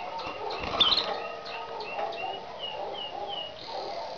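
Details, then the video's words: Two pet canaries, a frill canary (canary frise) and a common canary, singing on Christmas morning. A soft run of short, whistled, down-slurred notes repeats about twice a second, faint against a low room rumble with a few knocks. "CANARY FRISE ( FRILL CANARY) AND COMMON CANARY SINGING"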